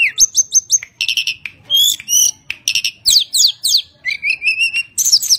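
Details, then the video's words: Tledekan gunung from Java in full song, used to lure other birds: a dense run of high whistles, quick descending slurs, clipped chirps and brief buzzy trills, packed with almost no pauses. "Burung Tledekan gunung gacor NYENGKLAK cocok untuk mancing bunyi"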